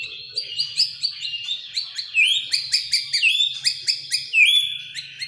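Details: Captive oriental magpie-robin training song: high, busy chattering phrases with rising whistled slides repeated about once a second, faint low hum behind.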